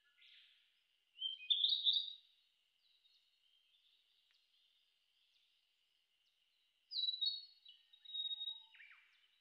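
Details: Narcissus flycatcher singing short, high whistled and warbling phrases separated by pauses of several seconds. Some end in a quick downward slur, with a faint low note near the close. The background is quiet.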